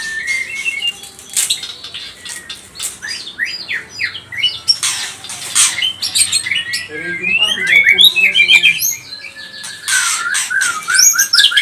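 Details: Lure song of a white-rumped shama, pastol type, played to stir rival birds into agitated singing: fast, varied whistles and sharp squawky notes mixed with rasping bursts, over steady background hiss, with a burst of rapid chattering trills near the end.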